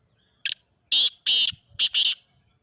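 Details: Grey francolin (teetar), played to prompt a kept francolin to start calling: loud, harsh, rasping call, a short opening note followed by two long grating syllables, then a short and a long syllable, in a quiet background.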